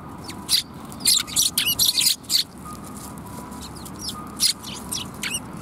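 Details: Several sparrows at a Tenmangu shrine, 23 December 2021, chirping in quick, irregular bursts of bright, high notes, clustered in the first half and then thinning to scattered single chirps, with a faint low hum behind.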